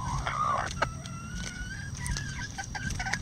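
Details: Bantam rooster crowing in a chicken run while bantams peck at hanging vegetable treats: a drawn-out, harmonic call near the start, then a long, level tone. Soft clucks and pecking taps sit over a steady low rumble.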